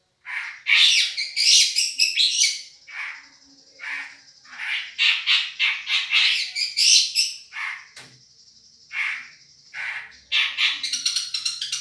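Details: Madura long-tailed shrike on a champion song-tutoring recording: bursts of rough, grating calls in groups separated by short pauses, over a steady thin high whine.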